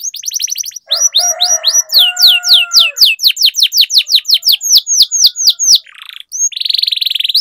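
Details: Canary training song, a long roll meant to lure silent canaries into singing and serve as a master for young birds. A brief low warble leads into a steady series of sharp, sweeping high notes, ending in buzzy bursts.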